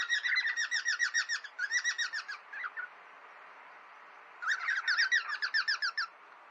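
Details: Friendly fighting among pet cockatiels: rapid scratchy chattering in two runs, a pause of about two seconds, then another fast, harsh burst.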